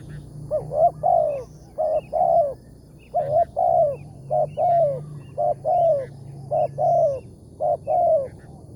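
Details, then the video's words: Spotted dove, a wild target bird with a big voice, calling on a morning bird-trapping outing with a decoy. Paired coos repeat steadily, a short note and then a longer falling note, over a low steady hum. "TEKUKUR SUARA BERSAR"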